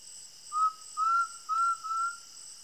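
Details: Undulated tinamou singing in the Brazilian sertão: four loud, pure whistles about half a second apart, each rising gently, against a steady high-pitched insect chorus.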